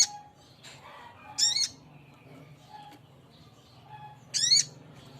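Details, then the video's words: Two sharp, grating, high call notes from a male little spiderhunter calling for a female, about three seconds apart, with soft chips and hum in the background. "Suara burung sogok ontong jantan memanggil betina"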